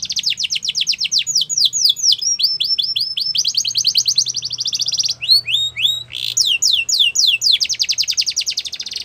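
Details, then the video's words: Yellow canary in wild song, alternating fast downslurred sweeps with dense rolling trills and a few clear slurred whistles, delivered almost without pause; faint low hum underneath. "Yellow canary Singing In The Wild"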